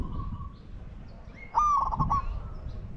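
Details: Spotted dove decoy luring wild doves: a faint coo note at the start, then one loud phrase of a smooth tone breaking into rapid pulses, over low rumbling noise.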